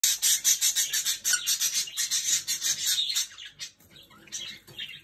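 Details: Jenday conures sharing bread, giving dense, shrill, rapid chattering squawks that run almost without pause for three seconds, then fade to scattered softer chirps.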